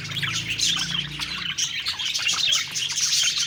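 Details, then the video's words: Parakeet budgies happily singing as they feed; quick twittering notes and little rising chirps from several birds blend into a lively high chatter over a faint low hum. "Happy Singing & Eating Parakeet Budgies Birds"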